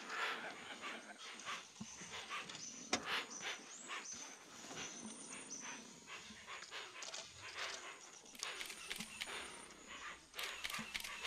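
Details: Hoatzin in the Brazilian Amazon giving harsh, wheezy, panting hisses in uneven bursts, several each second, with a faint high insect whine behind.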